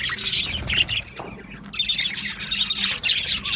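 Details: Budgies in an aviary colony: loud bursts of squawky, chirping chatter, a quieter pause near the middle, then the busy high twittering resumes.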